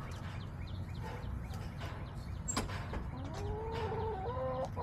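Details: Chickens in a backyard flock on July 17, 2024, giving quiet scattered clucks, then a drawn-out wavering, nasal call in the final seconds, with a constant low rumble underneath.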